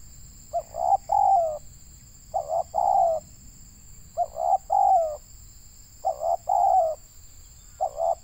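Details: Spotted dove, a local Indonesian tekukur used as a trapping lure, cooing in repeated three-part phrases, two short hoots then a long slurred coo, roughly every two seconds, with a constant high whine behind.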